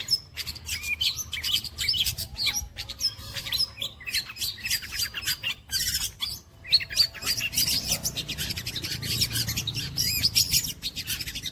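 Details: Long-tailed shrike pouring out imitations of kuntilanak, greja, petir and walang kecek: a dense, fast stream of scratchy chatter and squeaks, becoming busier and louder after a brief pause midway.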